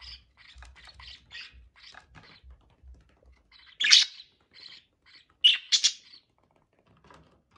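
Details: Budgerigars mating: scattered soft chirps in the first seconds, then several louder harsh squawky bursts around four and six seconds, with low thumping sounds early on.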